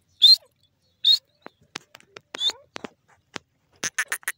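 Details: Grey francolin (dakhni teetar) with two loud, piercing high calls close together, followed by quieter clicks, a softer call, and a burst of rapid chattering notes at the end.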